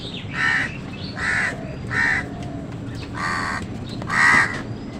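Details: A run of five coarse, nasal caws, the last the loudest, from crows quarrelling with wild birds over food; faint chirps of other birds are heard underneath.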